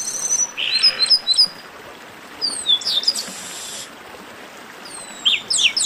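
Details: Chestnut-capped blackbird (garibaldi) esquenta song: thin high whistles and chirps, a buzzy rasp, long sweeping slurs rising and falling, and a final pair of sharp calls.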